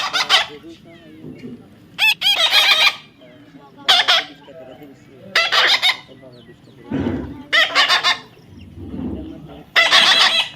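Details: Tamed baby parrot, screeching in loud raspy bursts roughly every one to two seconds, some opening with short rising whistled notes, with a few lower rough sounds between them.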